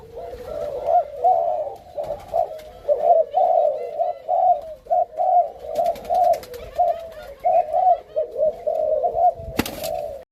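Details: Captive spotted dove of a Malaysian strain, male paired with an F1 female for breeding; a steady series of low, mellow coo notes in short rhythmic bursts, about two each second, with one sharp knock near the end.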